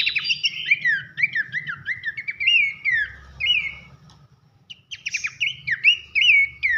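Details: Abbott's babbler belting out loud whistles for songbird training: rapid chains of falling slurred notes for four seconds, a brief gap, then sharp ticks and renewed whistling, with a soft low rumble beneath.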